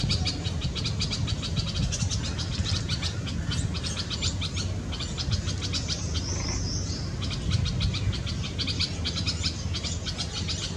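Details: At a garden nest in Delhi, India, in hot May weather, a red-vented bulbul feeds its chicks; dense, rapid, high chirping runs throughout, broken midway by a brief buzzy phrase, with a low rumble beneath.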